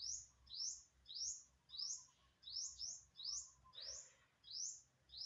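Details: Unidentified bird recorded on September 27, 2022: high, sharp upward-sweeping chirps repeated about every half second, each rising quickly and trailing off, steady and clear over a quiet background.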